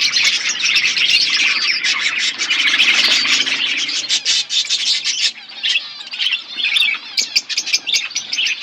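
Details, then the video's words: Many budgerigars chirping over their food, loud dense warbling chatter at first, thinning toward the end into separate bursts of sharp chirps and short squawks. "Beautiful budgies flocks birds eating food birds chirping sounds"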